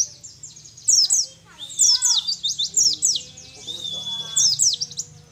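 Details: Wild-caught young mountain white-eye from Mount Ciremai, Majalengka, West Java, one month into tutoring. It sings high, rapid chattering twitters mixed with brief steady whistled notes, with faint lower sweeping tones in the background.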